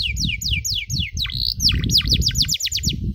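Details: Canary cuit cuit master song for teaching young birds: quick sharp downslurred chirps repeated several per second, a brief buzzy note, then bright falling notes, over steady low rumbling background noise.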